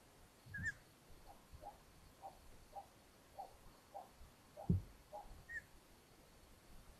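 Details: Long-eared owls at a Hungarian nest, 13 May 2022, the mother bringing a mouse to the young: two thin, high squeaks, a run of soft lower notes about every half second, and a dull thump.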